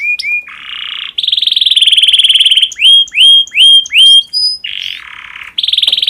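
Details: Singing domestic canary in breeding condition, played to stimulate other canaries: short whistles, buzzy rolled trills, then a series of clear downslurred notes, alternating with further low buzzing rolls.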